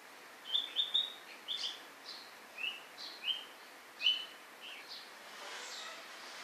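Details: White-rumped shama producing bright high whistled notes, a quick double or triple at the start, then single slurred whistles spaced about every half second to second.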